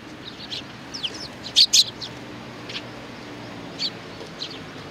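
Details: A sparrow chick and adult recorded 3 July 2019. Soft high tweets lead into two loud, sharp back-to-back chirps, followed by scattered quieter notes.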